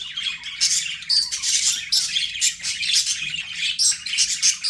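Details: Budgerigars kept as pets give a loud, unbroken rasping warble with brief bright whistles threaded through and a low hum in the background.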